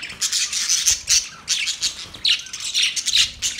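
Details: Budgies during mating: short bursts of sharp, high chirps and squeaky notes, roughly three or four bursts per second, close and loud.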